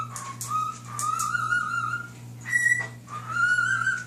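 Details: Pet male cockatiel indoors whistling the tune Nights in White Satin to a fish and other birds: smooth, sustained tonal whistles held and slightly rising in phrases, with a steady low electrical hum beneath.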